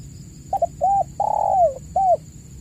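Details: Spotted dove in vigorous voice, a lure recording for stimulating caged doves that have stopped calling. Two short clipped notes, a rounded coo, a long slightly burry coo that slides downward, then one final coo, over a low steady hum and faint high whine.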